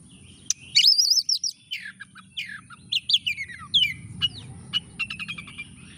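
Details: Lure recording of a frequently singing Oriental magpie-robin meant to provoke lazy birds into singing: rich warbled phrases with wavering whistles, descending slurs, then a rapid stuttering series of sharp clicks and ticks, with a constant high whine.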